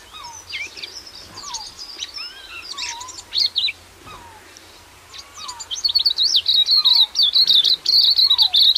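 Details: Silvereye (waxeye) from New Zealand: scattered high chips and low falling whistles from other birds at first, then a rapid, high, trilling warble that grows louder and steadier toward the end.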